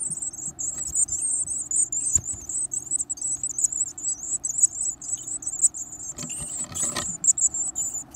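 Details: A continuous, very high, hissing chatter of Varied tit nestlings begging while being fed large insects, with a few soft thumps and rustles near the end.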